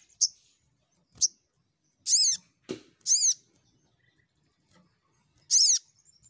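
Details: Crimson sunbird calling rivals as a lure: short, high ticks, then three bright, buzzy, harmonic notes spaced roughly a second apart, with a low thump between.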